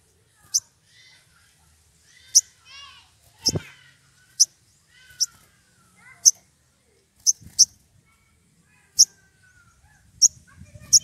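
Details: Excited Sogon calling a rival: sharp, very high single chips repeated every second or so across the recording, with softer chattering notes from other birds and a faint low knock in between.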